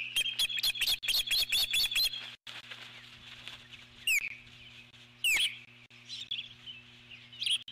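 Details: A nesting female eagle alert-calls at an intruding bird: a rapid run of about nine high, shrill notes, then a pause and a few separate descending piercing calls against a faint steady hum.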